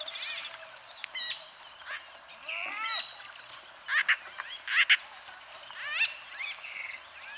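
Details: White-fronted bee-eaters, Merops bullockoides, in Kenya giving a busy mix of short squeaky and nasal chirps, with louder clustered notes around four and five seconds, several birds calling together.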